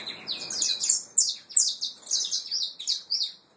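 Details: Pure Peruvian saffron finch nestlings: rapid high-pitched twittering chirps in a continuous run, rising and falling in loudness, ending in a brief silence.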